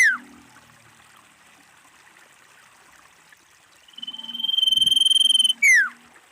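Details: Female common iora calling in the wild as a lure for other ioras: a sharp falling whistle, a pause, a high rapid trill of about a second and a half, then another steep downslurred whistle.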